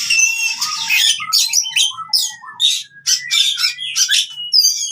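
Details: Fighting oriental magpie-robin song, meant to restart singing in quiet birds: an opening harsh rush, low whistles, then a long thin sliding whistle and evenly spaced sharp chirp bursts.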